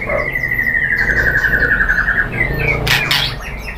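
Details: White-rumped shama lure song: a long rapid, even trill of repeated notes lasting over two seconds, then a few whistles and a sharp clatter amid steady background noise.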